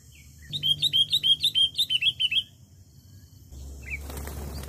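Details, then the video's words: Sooty-headed bulbul in full lure song for attracting wild birds: a loud run of about a dozen clear, bouncy whistled notes, evenly repeated, then a pause and a short rising note over background rumble. "Spil Full Pikat Burung Kutilang Kutilang Gacor MENGGARUDA!!Point Raja Kutilang Liar"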